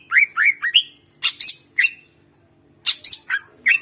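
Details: Greater green leafbird song, a master recording meant to prompt silent birds to sing: bright squeaky whistled notes, several rising and slurred, in quick bursts of three or four, a short pause, then another lively burst of sharp notes.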